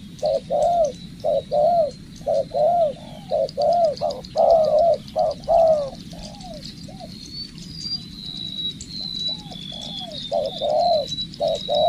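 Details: Spotted dove being trained as a decoy, cooing rhythmically in short-long pairs, pausing briefly midway before resuming, while another bird whistles thin high notes in the background.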